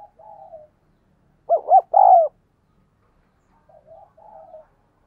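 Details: Spotted dove giving the thúc gù style of coo, used to train decoy doves and draw in wild ones. Soft, low cooing phrases open and close the clip, and a louder burst of three quick notes comes in the middle.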